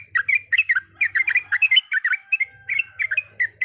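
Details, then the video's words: Rapid chattering song of a sooty-headed bulbul in full voice, in a recording said to include a female calling the male; quick clusters of liquid, warbled notes with brief pauses and a faint low buzz. "Trucukan gacor ropel panjang full isian berbagai macam suara"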